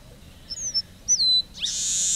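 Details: Red-breasted meadowlark song: two thin, high whistled notes, the second sliding downward, followed by a long harsh buzzy wheeze.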